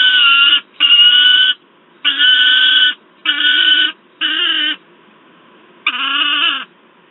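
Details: Grating, wavering screams of a noisy juvenile peregrine falcon, with an adult, at Wałbrzych, Poland, 10 August 2022: five cries in quick order, a pause of over a second, then one more.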